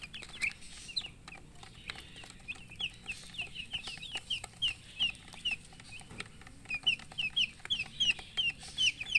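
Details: Baby chickens peeping in quick, high, downward-sliding notes, about three per second, sparse at first and then a louder run of clear peeps near the end.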